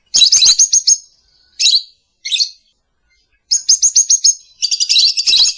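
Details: Morning lovebird song, used as a lure and master song: quick high twittering trills broken by short sharp chirps, ending in a dense shrill chatter.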